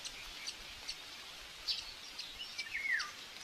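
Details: Buzzard chick, common buzzard, at a live-camera nest in Tiszalök, Hungary, aggressive during the breakfast feeding, May 5, 2024; one clear whistled note slides steeply downward near the end, after faint ticks and soft background hiss.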